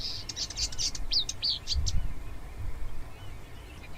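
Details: Marsh warbler song, a species known for imitating many other birds: a quick run of high chirps and short slurred whistles in the first two seconds, then only a low background rumble.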